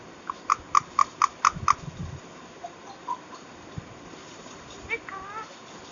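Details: Green parrot in a talking mood, known locally as Miyan Mithu: a quick run of six clipped, evenly spaced notes, then scattered softer sounds and a brief rising squeak near the end.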